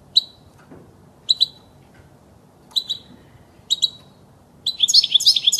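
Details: European goldfinch song aimed at teaching young birds: paired high chirps repeated about once a second, leading into a fast, jangling twitter of tinkling notes.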